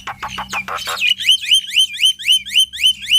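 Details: Loud male black-winged myna (jalak putih) singing to encourage other mynas: a few harsh, ragged notes lead into a steady series of about eight bright, rising whistles, each ending in a sharp upslur, roughly four per second.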